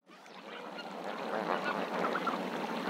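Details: Lesser Flamingos at Marievale in a dense, continuous murmur of overlapping honking and gabbling calls, with a few brief, higher nasal notes standing out.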